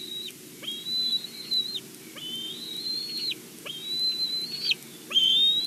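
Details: At a Big Bear nest, a bald eagle arrives with a game bird caught as prey, captured on a live nest cam; four drawn-out high, level whistles, each starting with a quick upward slide, spaced roughly every 1.5 seconds, with faint background hum.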